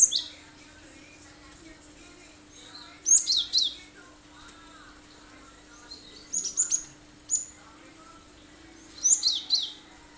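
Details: Chatty Cinereous tit delivering sharp 'tembakan' phrases, three bursts of rapid, high, piercing whistled notes about three seconds apart, each of several quick chirps, with a steady low hum underneath.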